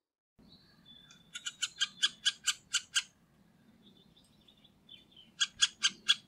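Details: A Middle spotted woodpecker in Liepāja, Latvia, in November 2023 gives a quick series of about eight harsh, nasal notes, five a second, then a shorter burst of four, over a low background hum.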